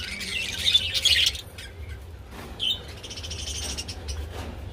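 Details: Budgies during mating give a loud burst of dense, scratchy warbling chatter for over a second, a pause, then a second stretch of softer chirping chatter, with a low background hum throughout.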